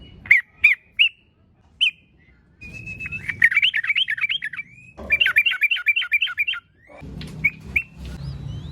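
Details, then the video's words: Lure song of a yellow-vented bulbul in the lively 'gacor tarung garuda' style: a few separate sharp chirps, then two long, fast runs of warbled, bubbling notes over a low background hum. "Kicau Trucukan GACOR TARUNG GARUDA ini Efektif Untuk Pancingan Trucukan Agar Bunyi"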